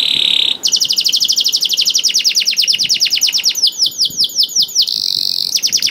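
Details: Male canary in full song, used to coax reluctant canaries into singing: a steady held whistle, then fast rapid-fire trills of downward sweeps, shifting to slower, spaced rising notes and a closing buzzy trill.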